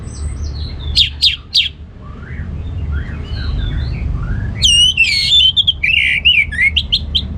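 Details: Orange-headed thrush singing in the ngeplong gacor style: two short bursts of sharp, high whistled notes, a quieter stretch of soft slurred notes over low background hum, then a loud run of rich, varied, rapidly changing whistles.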